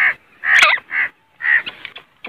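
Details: Grey francolin (teetar), Pakistan: harsh, scratchy repeated notes, three or four strong bursts in two seconds, with a clicking noise and some trailing rougher sounds.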